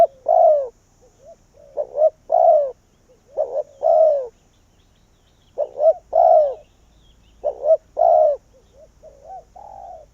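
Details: Decoy spotted dove calling to bring wild doves in, steady series of coos: quick paired notes leading into a fuller falling coo, then a softer trailing coo at the end.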